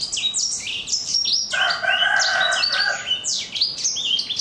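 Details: Four-month-old black-throated canary with a rough, crunchy "kriuk-kriuk" voice sings quick high chirps. A rooster crows over the middle of the phrase.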